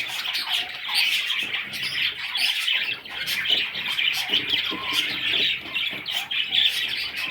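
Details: Several young parrot chicks chirping nonstop, a busy wash of thin, raspy, high-pitched calls overlapping throughout with no pauses.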